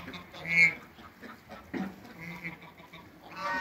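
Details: Backyard flock of Toulouse and African geese that have crossbred into a new hybrid; brief harsh honks and a clear ringing note follow one another in quick succession.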